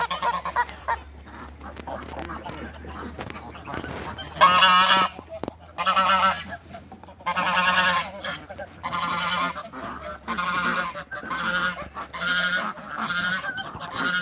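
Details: Two male and one female Toulouse geese in a backyard, chasing other waterbirds: loud nasal honks in a steady series about every second, after a quieter start with a low hum in the background.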